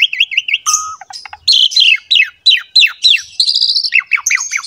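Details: Energetic Asian pied starling song for luring other starlings: wavering whistled trills, a steady low whistle, then a string of sharply falling slurred notes about three per second, ending in buzzy high phrases.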